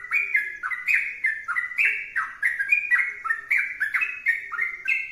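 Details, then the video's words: Persistent sooty-headed bulbul song, with quick throaty whistled notes sliding between pitches in a rolling, chattering stream that runs throughout. "trucukan gacor berdurasi"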